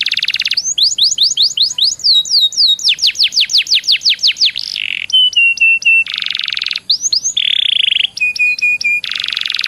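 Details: Canary song used as a lure to get other canaries singing: rapid, varied high passages of repeated rising whistled slurs, buzzy rattling trills and short fast note series, continuous and loud.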